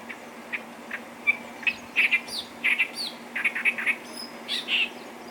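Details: Clamorous reed warbler at Bhigwan in December 2023. It gives a lively sequence of grating chirps and squeaky notes in uneven groups, with a faint steady hum in the background.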